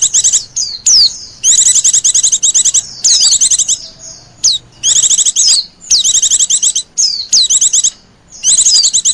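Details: Lure call for wild Oriental white-eyes, a fast high chattering twitter broken into repeated bursts with slurred whistled sweeps, short silent gaps between phrases, faint low hum underneath.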